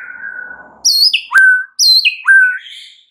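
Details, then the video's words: White-rumped shama lure song: a long, even whistle, then loud three-step descending whistled phrases, high to low, repeated twice in quick succession, with a faint hiss beneath. "SEKALI PANCINGAN Murai Batu anda langsung NAIK EMOSI mendengarnya"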